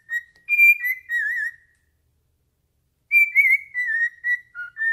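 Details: Indoor pet cockatiel whistling a song at its owner's foot. Two bursts of clear, slightly warbling whistled phrases separated by a silent pause of about a second and a half, ending in short lower notes.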